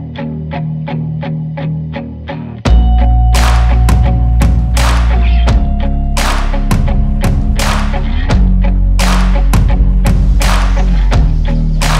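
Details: Loud music with a steady thumping beat and plucked strings, no animal voice heard.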